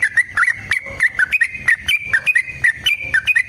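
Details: Yellow-vented bulbul in long, rapid fighting song: bright whistled chirps, each with a sharp click, repeated about four times a second and stepping slightly in pitch, with faint low hum beneath.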